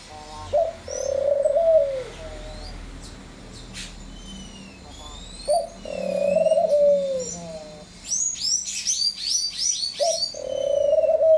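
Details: Picazuro pigeon singing three deep, hollow cooing phrases, each a short note then a drawn-out, slightly descending coo, spaced about four seconds apart; other small birds chirp and twitter with bright high notes between phrases.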